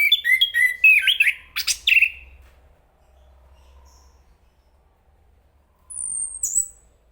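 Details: A chestnut-capped thrush opens with a burst of quick, varied, slurred whistles lasting about two seconds. After a pause, a very high, thin, descending whistle follows, ending in a short downslurred note.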